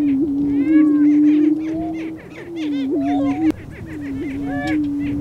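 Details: Several lesser prairie chicken roosters booming and sparring on Kansas Flint Hills grassland to attract a hen, a loud continuous low moaning drone broken by short wavering hoots, with overlapping cackles and whining calls throughout and one sharp click.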